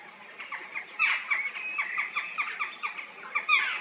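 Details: Peregrine falcons at their breeding site in a limestone and clay quarry, chests stained pink by iron oxide, screaming a rapid series of harsh repeated notes, several each second, over steady background hiss.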